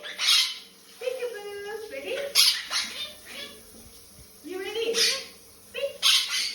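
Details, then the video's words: Pet Quaker parrot at shower time: harsh broadband squawks recur about every two seconds, separated by lower harmonic chattering and warbling notes, in a small indoor space. "Quaker parrot shower time"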